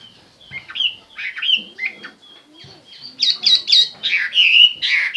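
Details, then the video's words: Chinese hwamei singing in short bursts of harsh, slurred notes that build into louder, clearer whistled phrases toward the end. "chim hoa mi hot"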